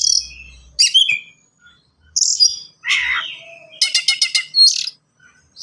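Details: Kacer, the Oriental magpie-robin, singing forceful varied phrases. High whistles and a scratchy burst are followed by a quick rattling series of about five notes and a sharp high whistle.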